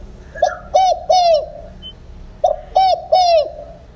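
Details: Spotted dove giving the field song without an ending note ('đồng không hậu'), intended to rouse wild doves for trapping. Two three-coo phrases about two seconds apart, bright and slightly buzzy, with a brief faint tone between.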